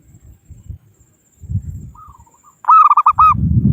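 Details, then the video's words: Local-type zebra dove calling to rivals, used as a trapping lure: a brief burst of rolling, stuttered coos near the end, preceded by a faint single note, with low thumping and rustling noise throughout. "Suara Burung Perkutut Lokal Pikat Gacor Ahlinya Memanggil Lawan"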